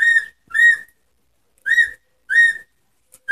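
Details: Whiteface cockatiels giving loud, clear whistled calls: four bright, slightly rising whistles, each about a third of a second long, spaced roughly every half to one second in a quiet room.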